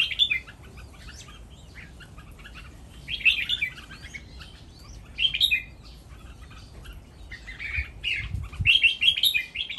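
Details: Red-whiskered Bulbul breeding stock kept at a bulbul breeding farm, singing playfully: bright chirpy, warbled bursts of song in short phrases about every two to three seconds, with quieter gaps and faint background chatter between them.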